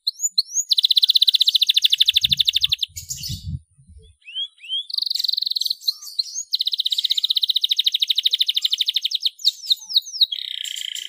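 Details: A canary in full song as a lure for inexperienced young canaries: extended dry rattling trills broken by a quiet gap with low knocks and scattered upswept whistles, ending on a lower buzzy roll.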